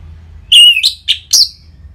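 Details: Orange-headed thrush, ngeplong style used as a singing lure for caged birds: one strong clear whistle followed by three short, bright accented notes within about a second, over a soft low hum.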